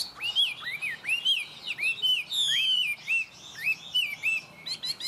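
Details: Tame hwamei singing strongly: a continuous stream of loud, slurred whistles bending upward and downward, phrases repeated about twice a second, with occasional fast high trills layered in.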